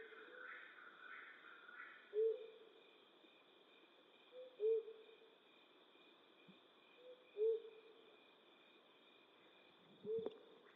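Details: A flammulated owl hoots at night in western North America, giving four short low notes roughly every two and a half seconds. A steady high hum persists, with brief mid-pitched pulses at the start and a faint knock near the end.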